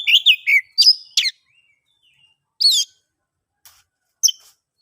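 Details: Oriental magpie-robin song meant to prompt silent birds to sing: a quick cluster of sweeping chirps and whistled notes, a silence, then isolated sharp chirps spaced about a second apart.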